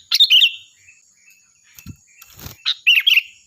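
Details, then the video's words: Sooty-headed bulbul in lively song for training other songbirds: a bright gurgling phrase, a pause with low knocks and rustling, then a faster chattering burst of notes, with a high whine in the background. "Suara burung Kutilang Gacor || Nyaring dan keras cocok untuk masteran"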